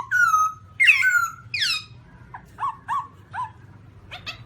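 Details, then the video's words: Loud, slurred, falling whistles from a black-throated laughingthrush, followed by soft, low, evenly spaced hooting notes and a final sharp note, with low humming in the background. "Black-throated laughingthrush (Garrulax chinensis): Funny Sounds And Funny Dances"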